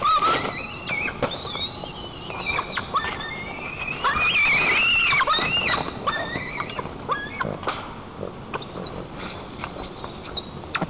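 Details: White-tailed eagle (Haliaeetus albicilla) at its nest in Nizhnyaya Kama National Park, Tatarstan, on 15 July 2024, after a fish delivery, mantling over the seized fish and squeaking: thin, high, wavering squeals in quick irregular bursts, swelling midway, over faint rustling.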